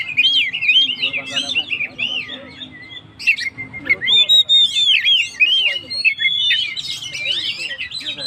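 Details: Oriental magpie-robin, a 'gacor' songbird whose song is used to rouse stressed birds: rich, continuous warbling of looping whistles and rapid chattering notes, fast and varied, with faint low hum beneath.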